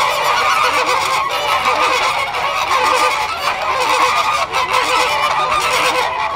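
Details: Flamingos calling to one another after an airplane passes overhead: a dense, continuous chorus of nasal, goose-like honks from many birds at once, overlapping without pause, with a faint low drone underneath.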